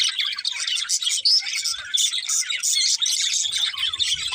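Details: Cute budgies chirp together in a steady stream of high, scratchy twitters and warbled notes, chattering without break, with faint low thumps near the end.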